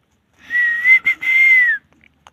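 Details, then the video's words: Pet parrot whistling a long, slightly wavering tone broken by a brief gap, ending with a gentle downward slide; breathy hiss surrounds the note. "Parrot 🦜 talking very cute"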